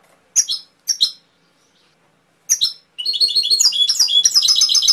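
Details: Canary song opening with a few separate sharp chirps spaced by pauses, then breaking into a continuous rapid warble of high, rolling and trilled notes for the last two seconds.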